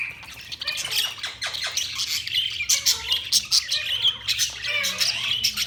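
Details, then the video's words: Chirping budgies in steady chatter, sharp clicky squawks and short warbled notes packed closely together, with brief wavering whistles underneath, the busy noise of more than one bird. "Budgies Sounds| Budgies Chirping sound"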